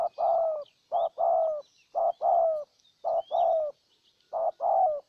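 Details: Ninh Thuận decoy spotted dove cooing to attract a wild dove: regular low two-part phrases, a brief note then a longer slurred falling coo, about once per second, over faint distant high-pitched birdsong.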